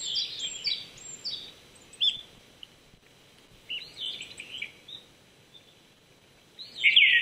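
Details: Japanese thrush at 800 m in Saitama Prefectural Forest, Japan, on an April 2019 morning. Softer, scattered whistled fragments mix with high twittering of other birds before a louder phrase ends the passage.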